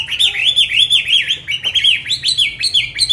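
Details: Tame caged Chinese hwamei singing a rapid, continuous run of loud whistled phrases, each note sliding up and down in quick succession, with the tempo hardly pausing across the stretch.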